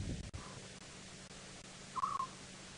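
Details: African scops owl, one of several around and calling close by, at dusk on 26 Aug 2017 on a sunset safari drive in Djuma/Chitwa Chitwa game reserves, South Africa, giving a single short mid-pitched purring trill after a fainter note, over a steady low engine hum.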